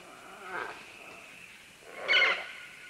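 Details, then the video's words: Several green-winged macaws moving down vines at medium-close to medium range give two hoarse squawks. The first is faint near the start, and a louder, harsher one comes about a second and a half later, over a quiet hiss. "Green-Winged Macaw. MCU - MD Calls From Several As They Descend Along Vines To"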